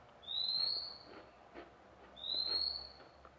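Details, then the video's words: A newly obtained magpie-robin produces two sustained, clean, high whistles, each gently rising and fading, about two seconds apart, with soft knocks in the background. "mk baru dapat dah bunyi"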